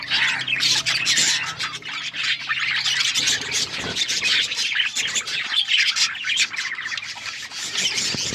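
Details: Flock of pet budgies, steady dense chirping and scratchy squawking from many birds at once, rising and falling in loudness throughout.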